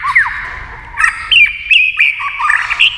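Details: White-rumped shama flicking its tail and singing fast in competition against a TV: clear whistled phrases with sharp upslurs and rapid chips, bursts separated by brief pauses, faint low hum beneath.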